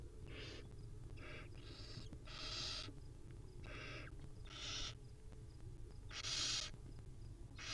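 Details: A run of about eight rasping, breathy screeches, short and long, sounds irregularly from a wild barn owl nest with a mother and her young, the loudest near the end, over low background rumble.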